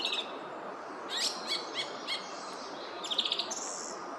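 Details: Song thrush singing in woodland at Oostvlietpolder on 24 February 2021. A crisp note is repeated four times at even intervals, followed by a rapid high twittering flourish and a thin whistle, against soft steady background noise.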